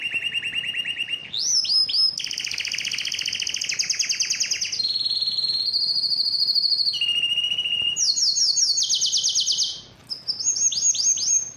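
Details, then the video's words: Yellow canary singing: long rapid trills and rolled tours at shifting pitches, high buzzy rolls alternating with lower churring trills and sweeping whistled notes, with one short pause near the end. "yellow canary singing"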